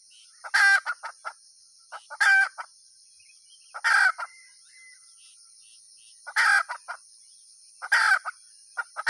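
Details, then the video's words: Loud hen calls: harsh drawn-out squawks roughly every one and a half to two seconds, each followed by a few quick clucks, over a constant thin high-pitched whine. "suab poj qaib tsauj dib tuaj zoo heev"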